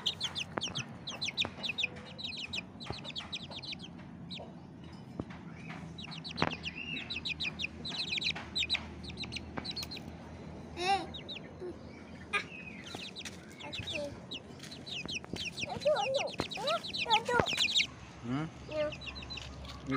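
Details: Bangkok chicken chicks sunning in the morning, with bursts of high descending peeps repeated throughout, mixed with clicks, knocks and other scattered noises.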